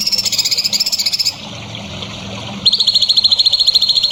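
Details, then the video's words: Quick high trills from a songbird meant to teach young songbirds: a fast, very high pulsing run, a pause of about a second with a low hum beneath, then a slightly lower trill resuming. "MASTERAN BURUNG HANDAL UNTUK CALON BURUNG JAWARA"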